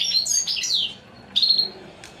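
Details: European Goldfinch, praised as a royal, unrivalled bird, giving a brief burst of high tinkling chirps, a pause, then a single sharp rising-falling note, with a low steady hum behind.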